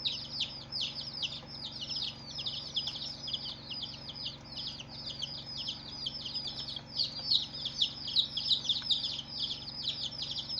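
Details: A flock of coloured baby chicks gives an unbroken stream of high, downward-sweeping peeps, growing a little louder toward the end, over a faint hum.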